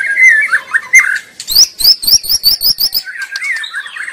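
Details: Wild white-rumped shama singing energetically in its natural habitat, a recording meant as a master song for lure training: whistled phrases, then a fast run of sharp repeated notes, and further varied warbling, with no other sounds.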